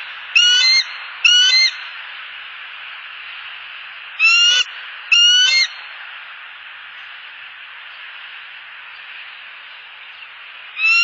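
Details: Wild bald eagle pair perched at their nest in Southwest Florida on 30 October 2015, captured by a nest camera, sounding off at an unwanted eagle flying overhead: five loud, high, stacked chittering bursts in two close pairs and then a fifth, over steady hiss.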